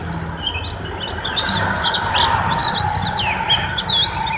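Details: Mountain white-eye, a masteran training recording of a lively singing bird: rapid high twittering chirps and short swooping whistled notes, densely overlapping, with a steady low hum underneath.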